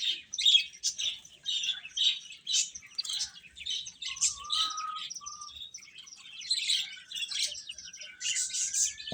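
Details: Chicken chicks feeding, with many rapid high cheeps in uneven bursts and a few short lower whistles heard midway through.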